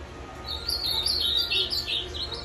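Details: A captive Ultramarine grosbeak, kept for five years, singing on 23 December 2020 after three days of bus travel: a quick run of high, warbled whistled phrases that rise and fall, over a faint low hum.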